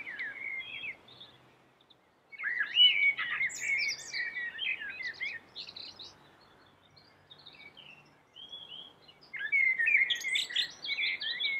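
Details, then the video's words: Common blackbird in lively, full song: bursts of rich warbled notes mixed with squeaky high twitters, broken by pauses of a second or more. Faint background hiss. "suara merdu common black bird"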